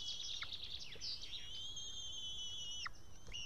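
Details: White-tailed eagle nestling, a young female, begging for food in an Estonian nest in June 2018. A fast, stuttering trill runs into one long, level, high whistle that drops sharply at the end.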